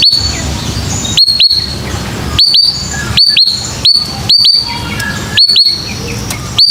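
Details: White-rumped shama lure song meant to coax young birds into singing: pairs of sharp, high upslurred whistles repeated about once a second, each paired with loud dry clicks, over a faint low hum.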